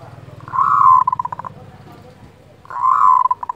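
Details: Local zebra dove kerot call for stirring breeding desire: two strong purring coos about two seconds apart, each fading into a quick stutter of separate pulses, with faint low rumbling beneath.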